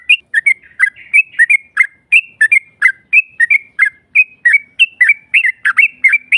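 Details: Yellow-vented bulbul long 'ropel' song, used to provoke a rival into answering: dense runs of warbling, slurred whistles with no long pauses, growing busier and louder toward the end.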